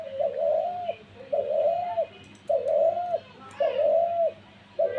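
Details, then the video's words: A dove gives low, hollow cooing notes, each about three-quarters of a second long and repeated roughly once a second, over a faint steady hum. "ঘুঘু পাখির ডাক দিয়েছে"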